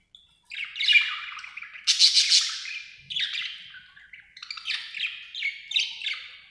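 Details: Happy pet budgerigar chirping in a chattering run of bright, buzzy chirps and warbles, bursts of rapid notes rising and falling, with short pauses between phrases.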